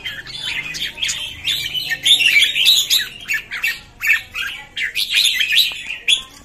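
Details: Red-whiskered bulbul (jambul) newcomers recorded 13 June 2019: harsh squawky chirps mixed with warbled phrases, arriving in uneven bursts from several birds at once.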